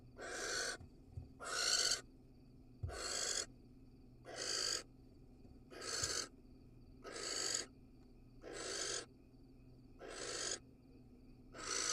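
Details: Barn owl in a nest box in Israel, where a male casts a pellet; a series of nine harsh, noisy hisses, each under a second long and coming roughly every 1.3 seconds, with a faint steady hum behind.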